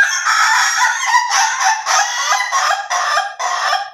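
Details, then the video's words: Ayam Ketawa chicken giving a loud, nearly continuous crow of rough, rolling laugh-like syllables broken into irregular segments over four seconds, with no pause. "AYAM KETAWA SLOW VS AYAM KETAWA DURASI"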